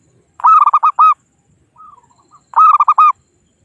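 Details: Local zebra dove from the wild calling to rivals, recorded for use as a trapping lure: two loud staccato cooing phrases about two seconds apart, with a softer, lower series of falling notes between them.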